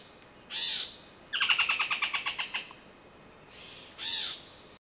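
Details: Buff-throated foliage-gleaner in the wild delivering a fast, dry rattle of roughly twelve staccato notes that fade toward the end, framed by two short swishing sounds and a continuous shrill insect background.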